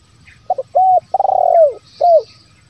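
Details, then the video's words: Spotted dove lure call, 'bero kuk, 1 lambung kuk' style, meant to set wild doves calling: two quick soft notes, a clear hoot, a long trilled coo sliding downward, and a final short hoot. "SUARA PIKAT TERKUKUR SI BERO KUK 1 LAMBUNG KUK"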